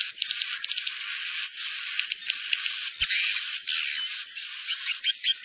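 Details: A swiftlet lure call, played to attract swiftlets to roost in a building: thin, high, upslurred chirps about every half second, with a steady high hiss behind them.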